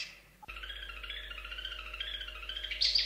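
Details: Long-tailed shrike song in 'gacor' style: after a short cut, a steady run of high, thin, chattering warbles with quick wavering notes, ending in sharper chirps, over a low steady hum.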